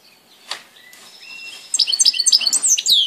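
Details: European goldfinch on 17 April 2018: after a soft thin whistle and a faint tick, a lively tinkling twitter of rapid high chirps and slurred notes builds quickly and continues to the end.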